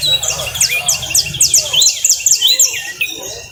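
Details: Saffron finch, called canario costeño, singing a fast, high, bright song of repeated sharp downslurred notes in quick bursts, with a few lower rising whistles; faint low rumble underneath.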